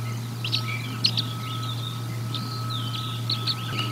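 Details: Bald eagles at the Decorah North nest during feeding, 04 01 2022: a series of thin, high chirps and short whistled squeals, irregular and clustered, over a steady low hum.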